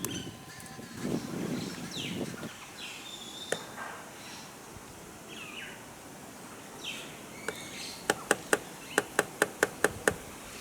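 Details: An angry woodpecker attacking its own reflection as a supposed rival strikes hard in a quick burst of about eight sharp knocks near the end, after a few scattered calls and soft rustling outdoors.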